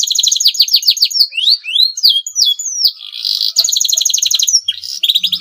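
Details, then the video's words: A breeding-condition male canary sings to stimulate rival canaries. Its song opens with a fast pulsed trill, moves into looping upward and downward whistled slides and a buzzy roll, then returns to rapid trilling. "CUIT CUIT KENARI JANTAN BIRAHI UNTUK MERANGSANG BUNYI KENARI LAWAN AGAR MAU BUNYI DAN GACOR"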